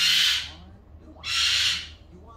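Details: Around midday a pet Goffin's cockatoo, roughly 15 years old, gives two harsh, raspy screeches about a second apart, each loud and broad, with quiet room tone between them.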